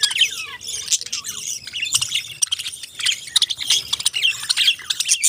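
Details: Parrot chirps fill the recording, with quick high tweets, a few short downward-sliding notes, and continuous overlapping chatter from a group of birds.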